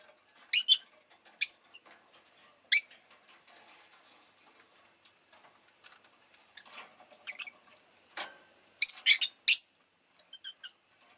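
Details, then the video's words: Rosy-faced lovebird calling indoors: a few shrill, high chirps at the start and a cluster near the end, with quiet scratchy rustling and soft clicks in between. "Lovebird Chirping Sounds"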